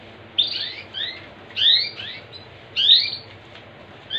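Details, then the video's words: Canary singing bright, high warbled phrases with quick rising and falling notes, in three bursts about every 1.2 seconds over faint background hiss. "Suara Burung Kenari"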